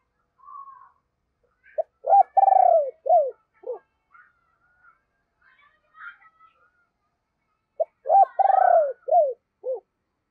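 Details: Decoy spotted dove with a deep voice repeating its luring coo phrase twice, each a brief note, a long throbbing downward purr and several arched coos, separated by quiet gaps with faint chirps.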